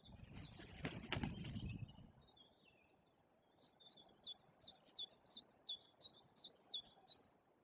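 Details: White-tailed eagle at its nest in Bory Tucholskie, Poland, during the breeding season as a chick hatches with its parents alert, gives about nine high, sharp yelping notes, some three a second, after rustling and wing flaps.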